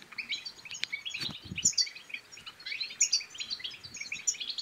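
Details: European goldfinch song intended to excite males and females toward singing and mating: fast, bubbling high twittering with piercing chips roughly every second and a few low clunks.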